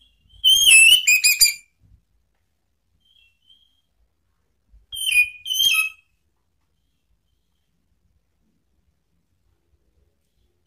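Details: Orange-headed thrush sounds meant to provoke rivals: a brief burst of sharp, high whistled notes, long silence, then another short ringing phrase and a final clipped note.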